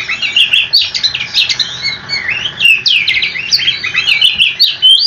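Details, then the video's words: Continuous rolling song of an oriental magpie-robin, used to prompt other magpie-robins to reply: dense run of sharp, bright whistled notes, quick up-and-down sweeps and chattering phrases, loud and unbroken. "Kicau Kacer super ngerolllll abis dijamin kacermu langsung nyaut"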